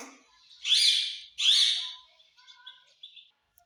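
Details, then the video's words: Indoor pet parrot known for saying "mummy" and "papa", here giving two loud, harsh, raspy squawks in a row, followed by softer short squeaks and faint whistled notes. "Parrot Talking Mummy Mummy _ Papa Bolta hai"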